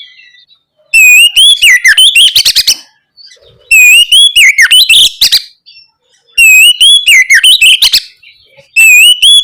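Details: Oriental magpie-robin in full ngeplong song, played to prompt young birds to sing back. A wavering whistled note opens each of four phrases, each ending in quick dry clicks and chatter, repeated about every two and a half seconds.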